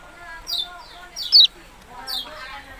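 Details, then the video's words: Three high, falling chiew-like notes from a yellow-bellied prinia, the middle one loudest, over soft background twittering. "burung kecial kuning ciak ciak"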